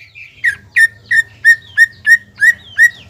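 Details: Greater green leafbird in a cage, singing to stir a rival: clear whistles on a fairly level pitch, each with a brief downward flick, about three a second, preceded by a softer rising note and backed by a low hum.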